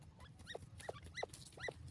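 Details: Sindhi teetar francolins playing in lush green grass, giving soft, clear, slightly falling notes, four in a row about every half second, over a low background rumble.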